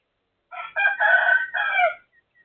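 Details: Neighbour's chicken crowing at 12:12 on 23 January 2025: a loud cock-a-doodle-doo in four harmonic-rich segments, a short first note followed by longer sustained parts, lasting about one and a half seconds, with a quiet background.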